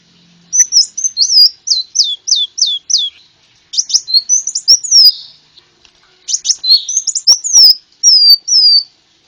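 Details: Konin bird, a sunbird, singing for bird luring: a row of evenly spaced, steeply falling high whistles, then jumbled twittering phrases broken by short pauses.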